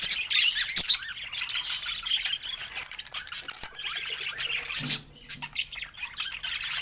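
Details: Several pet budgerigars sharing fruit, chattering happily: a dense stream of scratchy, warbling squawks and short chirps packed into the upper register, rising and falling continuously with brief sharper notes, no other sounds.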